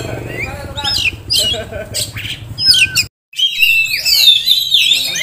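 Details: Oriental magpie-robin, caged contest prospect in Kisaran, gives harsh squawky bursts, then after a brief silence a loud run of warbled, wavering high whistles.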